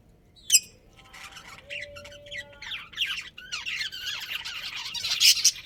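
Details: Breeding pair of pet budgies: starts quiet with a sharp squeak and scattered soft chirps, then swells into rapid scratchy warbling chatter.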